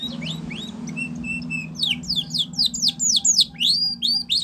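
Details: Spanish Timbrado canary training song: soft bell-like tones and level whistles, then vigorous rapid looping whistled notes; a steady low hum underneath.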